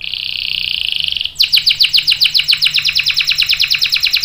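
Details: Canary song played to lure other canaries into singing long rolls: a dense, buzzy high trill lasting over a second, then a strong run of quick, repeated, downward-slurred chirps, steady and loud to the end.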